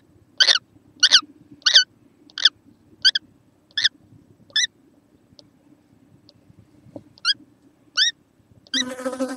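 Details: Young kookaburra on 6 November 2014: a series of short, twisting squeaky notes roughly every half second, then a pause, two more notes and a burst of broad noise at the end.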